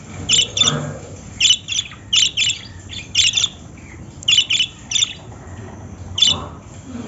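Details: Lovebirds chirping: high, shrill paired chirps repeated at irregular intervals over a soft background hum.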